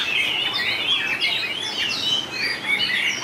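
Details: White-rumped shama in contest singing, 2019, showing long voice changes: clear whistles alternating with buzzy rising and falling notes, given in quick succession over about three seconds.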